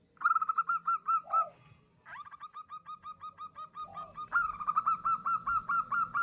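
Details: Female zebra dove, local type, calling a male, used as a lure. Three runs of quick, regularly repeated coo notes are separated by short pauses, with faint background noise throughout.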